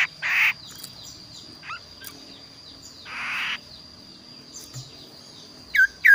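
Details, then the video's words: A kaso-kaso bird, noted for its unique, varied voice suited to tutoring other birds, gives harsh rasping bursts, three short notes spaced a few seconds apart, over a thin steady high whine. "burung kaso kaso gacor suara unik"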